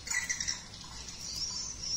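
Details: Swiftlet chick call from the Ratu Piyik track, edited into a roosting lure sound for swiftlet buildings: quick high twittering chirps at the start, then a thin continuous high trill fading in and out.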